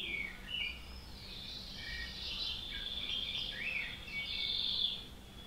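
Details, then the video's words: Nightingale singing outdoors: a run of varied high phrases with quick swooping whistles, rising and falling slurs and short buzzy notes, loudest near the end, over a steady soft background hiss. "Sonidos de la naturaleza, Ruiseñor."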